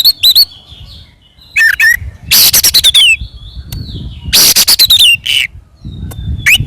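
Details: Oriental magpie-robin in combative song used to provoke rival birds: dense rattling bursts of harsh notes with sliding whistles, then scattered sharp chips, over a low rumbling background.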